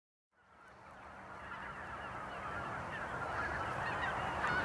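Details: Greater white-fronted geese waking on a frozen morning at the Blankaart, a flock of many birds building from silence into a dense, continuous chorus of overlapping high yelping honks and cackles.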